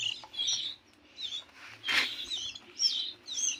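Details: Local canary chicks, 15 days old, being fed by a parent; bursts of high, shrill, buzzy begging chirps, with short pauses between them, and one loud rustling flutter in the middle.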